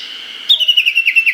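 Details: Valley-crossing call (tani-watari) of a Japanese bush warbler in an early-summer forest in Hokkaido, Japan: after a brief pause, a rapid run of sharp, downward-sliding notes, about eight in under a second.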